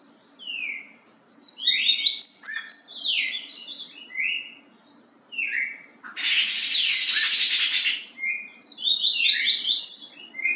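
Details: Yellow-bellied seedeater with the Bahia song type: varied high whistled slurs and descending notes in quick phrases, a dense buzzy rasping stretch in the middle, then more rapid whistles.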